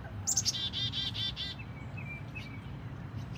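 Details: A chickadee drinking from a fountain in 2021 gives a quick high note, then about five harsh, buzzy 'dee' notes in just over a second, followed by faint thin whistles over low rumbling water.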